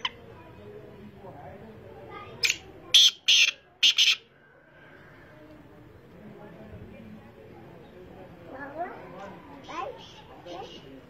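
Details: Black francolin (kala teetar) call: three loud, harsh, grating bursts in quick succession about three seconds in, then fainter scratchy notes later, over a steady low background hum.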